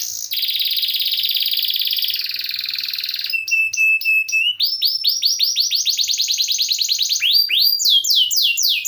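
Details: Canary giving a varied song for songbird training: a dense buzzy trill, a run of sharp clicked notes, then loud upswept whistled notes repeated rapidly and accelerating.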